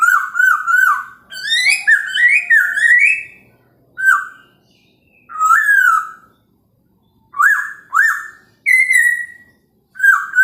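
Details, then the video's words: Chinese hwamei singing in the morning, played to provoke other birds: a tumbling run of whistled notes gives way to single loud slurred whistles spaced by silent gaps. "POKSAY HONGKONG kicau pagi hari buat EMOSI burung lain cocok untuk PANCINGAN pasti NYAUT dan GACOR"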